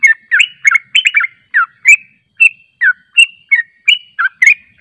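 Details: Yellow-vented bulbul sound played as a lure to draw answering birds: clean sputtering chatter of quick warbled notes, some clustered in pairs and triplets, on a silent background.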